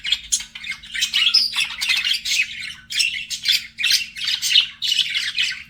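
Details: Pet budgerigars flirting, with quick pulsing bursts of high, scratchy chirping and squeaky warbles, repeated several times a second with short gaps between phrases.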